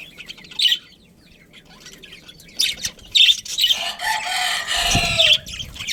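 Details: Budgerigar breeding colony, a family group, giving scattered high chirps, then a long rushing, noisy flurry near the end, as of wings or movement, mixed with continued squawky chatter.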